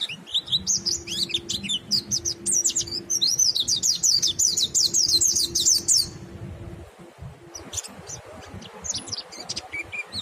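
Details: White-eye singing in full, continuous ngalas style, said to stimulate other white-eyes to join in; rapid high, thin twittering phrases of sharp rising and falling notes, a dense run of zigzag trills, then sparser chirps after a brief pause.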